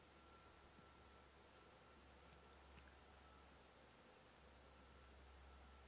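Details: Common kingfisher at Ribniki in the Drava valley, Slovenia, on 23 July 2023, giving short, shrill, very high whistles about once a second, then more loosely spaced, over a low steady hum and faint background noise.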